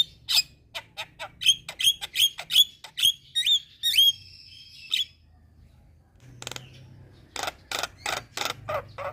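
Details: Lure recording aimed at Javan, black-winged and Nias mynas: quick rasping notes run into a string of bright downslurred whistles, a held buzzy note, silence, then a final cluster of harsh grating bursts.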